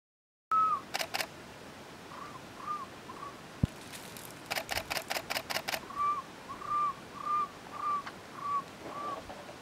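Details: Cuban trogon, subspecies temnurus, singing in Alejandro de Humboldt National Park, Cuba, on 24 February 2017. Short whistled notes near the same pitch repeat in a series, partly overlapped by loud bursts of rapid camera shutter clicks.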